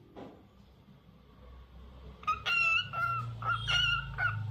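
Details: Lutino cockatiel in a run of repeated warbling, harmonic notes, several per second, following a single short call at the start.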